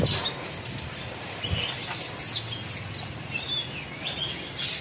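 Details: Caged Javan bush lark (branjangan), trotol type, singing ombyokan-style among gathered birds and showing off its fill-in repertoire. Thin, high whistled notes and short slurred chirps scatter through steady background hiss.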